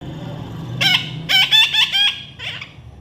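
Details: Baby parrot being tamed, giving a short series of harsh, squawking calls in quick bursts, with a low background hum.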